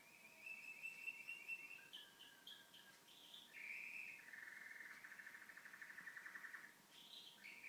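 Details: Pet canary at home giving lower, mellow song phrases: flat whistled notes, then a long rapid bubbling roll and a short higher note at the close.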